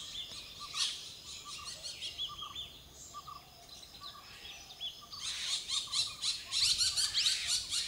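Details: Blue-winged or Malabar parakeets of the Western Ghats, southern India, a species found in small flocks, giving harsh screeching calls in forest, scattered at first and then a dense burst of repeated high, rasping notes in the final seconds.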